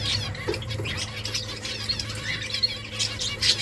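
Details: Finches in a nesting colony give a busy run of high, short chirps and squeaks from several birds, steady throughout, with low background hum.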